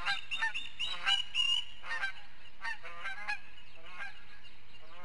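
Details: Osprey at a nest in Charlo, Montana, on a nest camera, calling while defending the nest against another osprey that keeps harassing it; a rapid series of sharp, chirping whistled notes, repeated irregularly, with a low steady hum beneath.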